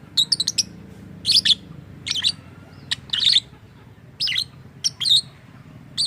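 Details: A lovebird with an unusual voice, reportedly mimicking human speech, gives a quick triple chirp, then piercing high squeaky notes repeated roughly every second, some doubled, above a low droning hum.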